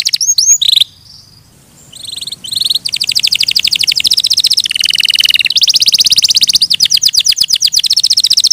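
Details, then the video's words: Canary song opening with a few whistles and a short pause, then long unbroken stretches of fast high trills changing pitch every second or two, faint low hum beneath. "Suara Burung Kenari"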